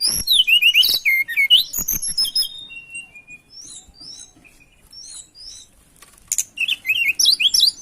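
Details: Singing tledekan in breeding condition, looking for a rival: a loud opening of rapid zigzag whistled notes, a quieter middle of thin high chirps, then another fast burst of sharp trilled phrases.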